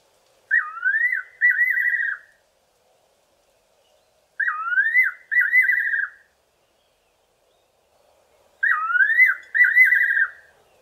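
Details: A fiery-necked nightjar singing from a garden tree in the evening gives three loud, clear whistled phrases, each a rising note then quavering, tremulous notes, repeated about every four seconds in a quiet setting.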